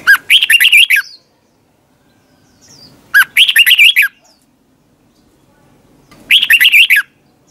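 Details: Morning competition singing by a red-whiskered bulbul in the twisting-voice style, meant for training birds: three loud, similar warbled phrases, each about a second long, repeated roughly every three seconds with silence between.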